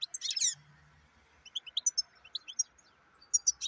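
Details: Goldfinch song, called black-headed goldfinch, starts with a harsh buzzy burst. Spaced, sweet, high chirps follow, then a few more clear notes near the end, with a faint background hum and soft low rumbles.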